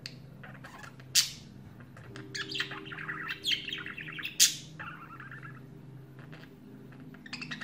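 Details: Budgerigar (Melopsittacus undulatus), song: courtship, singing to females.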